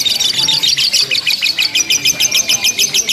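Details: Contest-style ngekek from a lovebird, unbroken chattering: fast, evenly pulsed high trills packed closely together, bright and buzzy throughout, over a soft low background hum.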